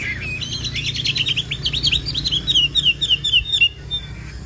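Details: A Chinese hwamei of the Hoạ Mi Bộ Tam Hoàng type delivers a fast trill of short whistled notes that quickens and then slows into evenly spaced downward chirps, about four a second, over a faint low hum.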